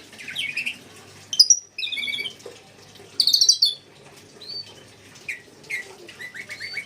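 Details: Red lory, a pet bird said to sing like kacer, cucak ijo and murai: bursts of high, squeaky chirps and buzzy rapid trills, some rising, in short irregular runs with quiet pauses between; a woman speaks softly nearby.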